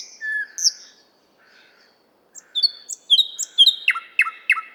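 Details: In a Moscow park, the 50th Anniversary of October park, a nightingale sings, recorded with RODE NTG-3 and ZOOM H6: soft drawn-out whistles, a pause, then high chirps building to loud descending notes.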